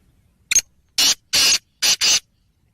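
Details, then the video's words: Black francolin, its call a quick sequence of five rough, rasping notes: a clipped first note, two drawn-out harsh bursts, then a closely paired final two. "Kala Teetar ki Awaz/ Black Frankolin Voice/ کالا تیتر کی آواز"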